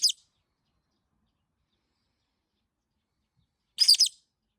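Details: Pet masked lovebird, unplayed with for over a week, calls nonstop in protest: two harsh, raspy, high screeches about four seconds apart, with silence between.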